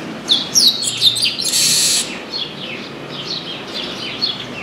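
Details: Chestnut-capped blackbird that dropped into an orange tree and put on a show: three loud, clear descending whistles followed by a harsh buzzy rasp, then softer rapid downslurred chirps.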